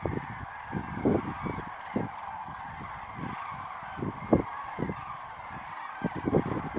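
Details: Large flock of common cranes taking off at daybreak at Lac du Der, France, 19 November 2016, calling together: loud, rolling trumpet notes overlapping into a dense, continuous chorus over a steady low rumble.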